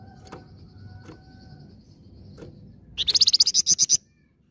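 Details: Lure song of a lively flamboyan: a quick, high, rattling trill of about a dozen bright buzzy notes lasting a second, preceded by faint thin calls and low background noise.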